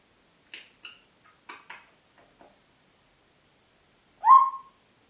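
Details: Congo grey parrot, a household pet in Diebach near Hammelburg, 4 April 2012: several soft short clicks and chatter notes, then a single loud whistle that rises sharply and levels off, in a quiet room.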